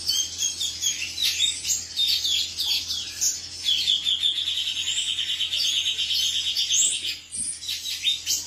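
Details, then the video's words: A male cucak cungkok delivers rapid chirps that run into a long, even, high trill lasting several seconds, then breaks off into scattered twitters. "suara jantan burung cucak cungkok"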